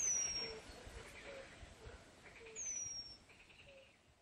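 Eurasian penduline tit giving two thin, very high, drawn-out descending whistles about two and a half seconds apart, over faint background chirps and a soft outdoor hush.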